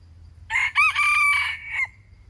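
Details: Wild chicken crowing: a single loud crow about 1.4 seconds long, opening with a harsh burst, then a brief rise and a long sustained strained note that fades out, over quiet background.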